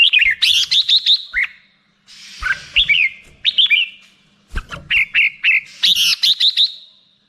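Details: A black-crested bulbul sings in three phrases of rapid, bright whistled chirps, each phrase a run of quick repeated notes separated by short silences.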